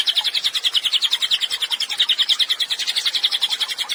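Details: Cililin singing continuously to train songbirds: high, sharp notes fired in quick succession, about three or four each second, forming a steady chattering trill.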